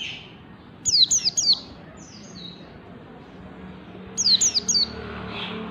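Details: White-eye singing ngalas bukpar, a master recording for training caged birds. Two separate clusters of three to four sharp, downslurred high whistles, with a faint trailing note between them over steady background hiss.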